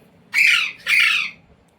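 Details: A pet Indian Ringneck parrot, taught to say 'mummy' and 'roti roti', gives two harsh, raspy two-part mimicked words in quick succession, each a little under half a second, in a quiet room.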